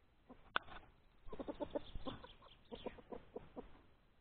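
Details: Hen clucking outdoors in the open while laying an egg: one sharp loud note, then a run of short, rapid, throaty clucks in uneven bursts over low background noise.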